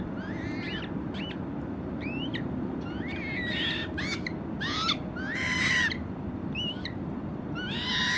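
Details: American coot juveniles, accompanied by a parent, calling while swimming on Lake Merced: many short, high squeaky notes, some rising, others stacked harsh bursts, given in irregular clusters over steady low background rumble.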